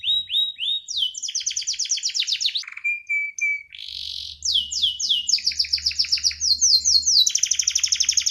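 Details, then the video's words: Singing canary delivering its rolling song ('ngeroll'): repeated downslurred chirps, fast rattling trills, a steady flat whistle, then rapid high pulsed rolls, over a faint low hum. "BURUNG KENARI 30 DETIK LANGSUNG NGEROLL|| Denger Cuit-Cuit Kenari Gacor!!!"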